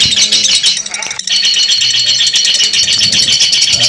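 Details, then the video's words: Lovebird in a long ngekek panjang chatter, dense rapid high trilling that runs almost unbroken for the whole stretch, with one brief pause near the middle, meant as training audio to help other birds adapt "lovebird ngekek panjang"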